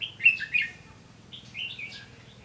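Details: Red-whiskered bulbul used as a lure bird in a fighting trap, 15 June 2016: two loud bright warbled phrases at the start, then softer chirpy whistled notes later, over a faint low hum.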